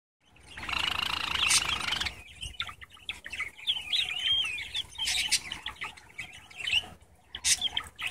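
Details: A 4.5-month-old male pet Java sparrow singing outdoors on a nice day gives a rambling song: an opening nasal, buzzy rattle, then quick chips, clicks and short rising whistles, all high-pitched.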